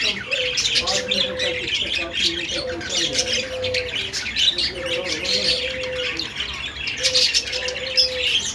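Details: Budgie singing, a lively mix of high chirps and buzzy trills, with recurring lower drawn-out whistled tones every second or two and a low background hum.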